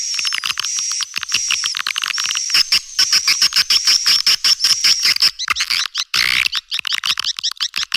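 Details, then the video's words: Swiftlet call meant to attract juvenile swiftlets: fast rattling clicks packed closely together, a high whistled tone on top, the clicks growing more chaotic toward the end. "SUARA PANGGIL WALET - PEMUTUS LINTASAN ANAKAN"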